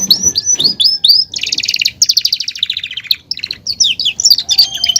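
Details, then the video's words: Belgian canary, a caged male, sings: looping whistled notes, then dense buzzy rolls and rapid chirped trills, closing with sharp twittered phrases. "canario belga cantando"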